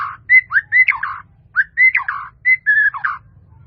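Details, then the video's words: Melodious white-rumped shama song, a fully varied training recording: three short bursts of clear whistles and sweeping slurred notes, each lasting under a second and separated by brief gaps, over a soft low hum. "MASTERAN MURAI BATU FULL ISIAN || SUARA MURAI BATU MERDU"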